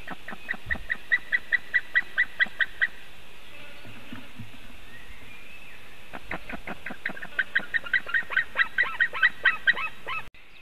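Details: White-tailed eagle at its nest in Latvia, picked up by a nest webcam in 2018: a rapid series of sharp, yelping notes, about a dozen in quick succession, then a pause before another longer, accelerating run of yelps.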